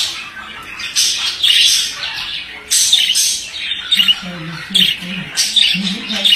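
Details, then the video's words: Male budgerigar warbling in quick buzzy phrases broken by sharp squeaks, with a low murmuring sound underneath during the second half. "Erkek muhabbet kuşu sesi"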